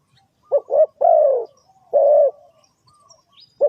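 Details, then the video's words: Spotted dove, call used to lure birds into a trap: a stuttered double coo leads into a long falling coo, answered by another level drawn coo a second later, with another phrase beginning at the end. "Suara Tekukur"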